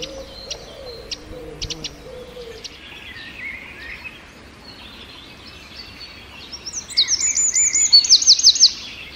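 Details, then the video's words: Forest birdsong with a wren: scattered high chips and soft distant calls at first, then a sudden loud, very high trilled burst near the end. "1 Hour Of A Bird (Wren) Chirping In The Forest"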